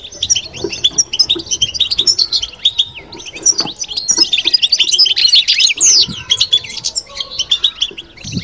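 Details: Kept European goldfinch giving its batbata twittering song: dense, fast runs of high, liquid chirps and buzzy trills, with a louder jumbled burst around the middle and soft low knocks beneath.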